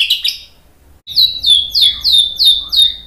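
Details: White-rumped shama phrase on a provoking tutoring recording: a short high warble, then six clear downslurred whistled notes, evenly spaced about every third of a second.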